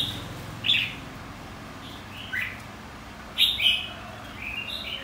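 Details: Contest song of a red-whiskered bulbul, a white-cheeked singer in training: three short, loud, bubbly whistled phrases spaced a second or more apart over quiet background hiss.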